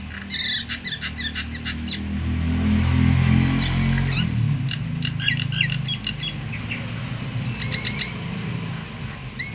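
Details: Myna sound said to stir other mynas, even silent ones, into calling: quick clusters of sharp chirps and short whistled notes in bursts, over a loud steady low rumble of background noise that swells mid-clip.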